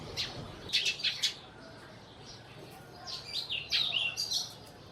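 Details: Sparrows in Burma giving short high chirps in two loose bursts, a quick cluster of three notes followed after a pause by a longer run of tumbling, slightly descending chirps over a quiet background hiss.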